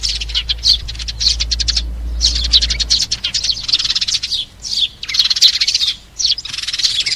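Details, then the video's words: Sparrow calling the flock, used as a trapping lure: quick rattling chirp series and dense chirp bursts, with a steady low hum in the first three seconds. "TIẾNG CHIM SẺ GOI ĐÀN DÙNG ĐỂ BẪY"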